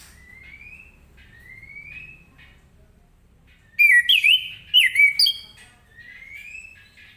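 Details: Orange-headed thrush, morning ngeplong singing that prompts other birds to join in: soft rising slurred whistles, then a loud cluster of sharp, zigzagging whistled notes, followed again by gentle rising whistles.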